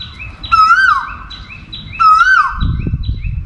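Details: Asian koel (Eudynamys scolopaceus) calling continuously to attract a mate: two loud, whistled, rising-then-falling notes about a second and a half apart, over a low rumble of background noise.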